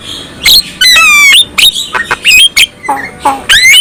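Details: Song of a black-winged myna that sets other mynas singing: a long buzzy trill, harsh squawks and sliding whistled notes, rising and falling, in quick bursts with brief pauses.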